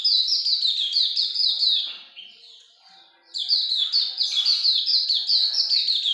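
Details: Singing hard in the ngalas longgun style, a Hume's white-eye pours out quick, high, slurred chirps, breaks off briefly in the middle, then resumes an equally rapid, shrill stream.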